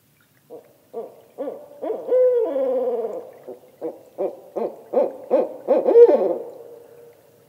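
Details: Barred owl, ascending call: a series of short hoots, one long wavering drawn-out note, then many rapid arched hoots speeding up before a trailing fade.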